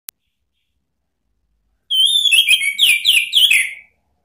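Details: Orange-headed thrush song in the ngeplong provoking style, used to call out rivals: after two seconds of silence, a quick run of clear whistled notes that slide downward, each phrase stepping lower, lasting about two seconds.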